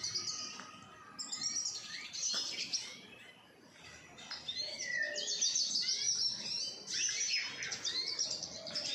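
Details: Several captive-bred Eurasian siskins from an owner's collection chatter together in a continuous high, thin twitter, with quick trills and squeaky notes overlapping at a busy pace.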